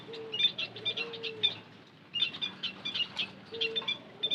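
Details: Thin, high-pitched chirps in two clustered bursts, used as a lure for white-headed munia, accompanied by short, low, steady whistles.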